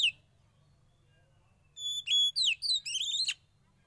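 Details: Young forest-caught Oriental magpie-robin, a kept bird during sauna therapy, gives a short burst of high, clear whistled notes with sliding, rapidly repeated downward-curving phrases after a brief opening chirp and a long quiet pause; low steady hum underneath.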